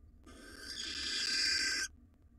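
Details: Wild barn owl nest box, the male caring for nestlings before the female comes home; one loud, drawn-out harsh hissing screech of about one and a half seconds, swelling slightly, then silence.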